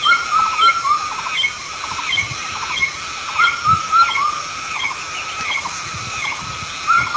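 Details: Pheasant from Southeast Asia giving loud, clear, tonal calls that rise then fall, with rich overtones, repeated in short runs every second or so, over faint background rustling.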